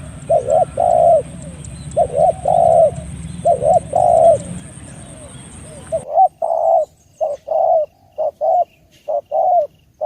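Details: Spotted dove, recorded for use as a lure: repeated pairs of short coos and longer drawn coos, noisy with hiss and whine for the first six seconds, then clean and quiet as the cooing continues.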